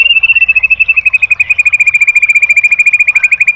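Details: White-rumped shama training song for caged birds: a loud, fast, even trill of identical high notes, around ten per second, held steady for the whole stretch with no break.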